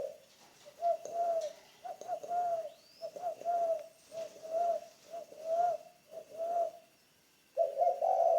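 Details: Spotted dove being trained as a decoy bird, giving a rhythmic series of short paired coo notes, then a pause and a louder, rough rolling coo at the end.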